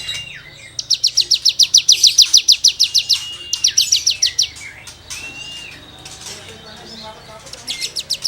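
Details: Cigun singing 'gesekan' tutoring material: a long run of rapid, evenly spaced high scratchy notes lasting over two seconds, then quieter whistles and a fresh buzzy burst at the end.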